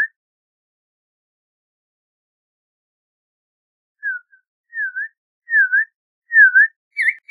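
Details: Audubon's oriole song after four seconds of silence: a run of soft, dipping whistled notes, each a quick down-and-up slur, spaced about half a second apart, ending with a brighter, higher note.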